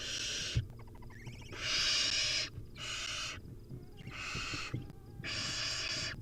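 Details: Hungry wild Barn Owl nestlings begging at feeding time: drawn-out rasping hisses of about a second each, repeated five times, with a brief clicking, chattering patch early on and soft knocks below.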